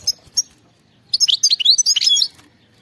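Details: European goldfinch, song in the khalawi style: two isolated high chip notes, then a fast, tinkling run of varied twitters and buzzy trills lasting about a second.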